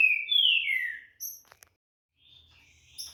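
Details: Brazilian aviary-bred green-winged saltator opens with a long, loud whistle sliding downward, followed by thin high notes, brief clicks, a quiet gap and a soft warbled phrase.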